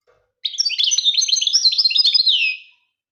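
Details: European goldfinch song, tagged Algeria: a fast, dense run of bright twittering and tinkling notes with quick trills and buzzy slurs, lasting a little over two seconds and ending in a falling twitter, with no other sounds.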